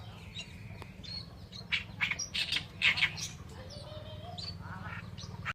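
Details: Oriental reed warbler producing a cluster of loud, harsh, rasping notes midway, followed by a thin rising whistle from another bird, over a low hum.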